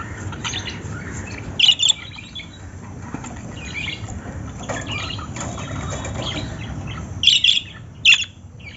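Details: Lovebirds giving shrill squawks, a pair of bursts early, then mostly soft chatter and faint chirps, ending with several sharp high calls close together, over low background hum.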